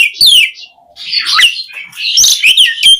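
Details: Asian pied starling in full song, played to prompt other starlings to sing: a few sharp descending whistled notes, a buzzy rising phrase, then scratchy chirps and high whistles over a quiet background.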